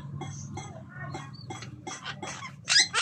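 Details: Red-breasted parakeet at mating time: a run of short, clipped chattering notes about every quarter second, building to loud, harsh squawks at the end.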